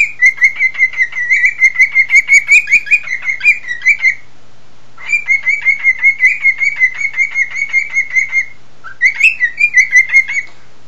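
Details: Pet male cockatiel singing while its owner tries to sing and whistle along; three bouts of fast, buzzy, chattering notes packed at about two to three per second, the first two lasting around three to four seconds each, separated by short silences.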